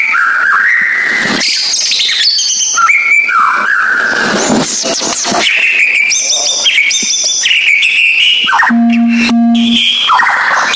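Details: White-rumped shama lure song for stirring a silent bird into singing: a dense, fast stream of varied whistles, trills and sharp chips, mostly mid to high pitched, broken near the end by a short harsh buzzy note.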